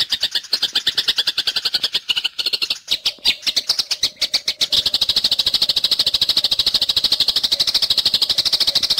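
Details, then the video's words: Eurasian tree sparrow in fighting mode, used as a tutor recording for songbirds: loud rapid chirping that turns into a very fast, dense, almost trilled chatter toward the end, with a low steady hum in the background. "Masteran MURAI BORNEO gereja tarung"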